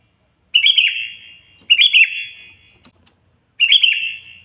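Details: Loud, actively singing sooty-headed bulbul calling a rival: three short bubbly, warbled phrases high in pitch, each with a fading echoing tail, about a second or more apart, with quiet gaps between.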